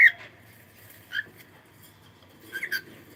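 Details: Cockatiel singing: short clear whistled notes, one at the start, another about a second later, then a quick double whistle near the end, with quiet pauses between them.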